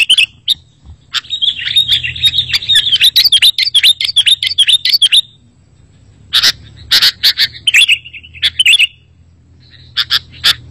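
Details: Lure song of a sooty-headed bulbul meant to make other bulbuls respond: a long run of fast bubbly whistled notes, a pause, then another burst of chirps and clicks.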